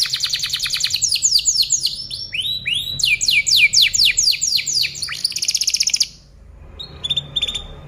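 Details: Canary tutoring song: rapid, dense trills and quickly repeated downward-sweeping whistles for six seconds, then a quiet stretch with faint, distant notes.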